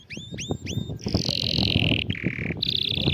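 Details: Canary singing, used to encourage a silent canary to sing: three upswept whistled notes, then a long buzzy sustained roll, a brief pause, and another steady rolling tour over low background noise.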